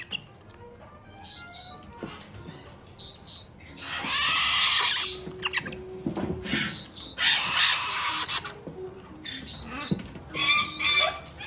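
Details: Captive galah chick, a domestic breeder-bred female, being hand-fed about two to three times a day, gives harsh raspy hissing bursts, loudest in three long rattling spells in the second half, with clicks and handling noises between them.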